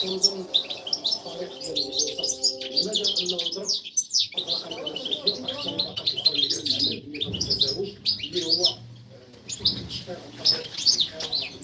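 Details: Caged European goldfinch, a female calling the male during mating, recorded 2024 to stimulate goldfinch singing. Dense high twittering and rapid chirps run almost continuously, with a short pause near four seconds. Lower harmonic notes sound underneath.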